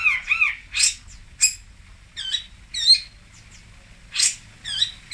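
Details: Pentet or long-tailed shrike in Singosari, mixing curling whistled motifs with harsh, noisy bursts, spaced out over several seconds.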